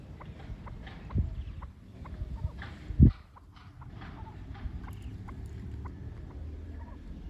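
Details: A pair of Chukar Partridges at their first meeting; short soft clucking notes repeat at uneven intervals, with a few louder thumps and a steady low rumble of background noise throughout.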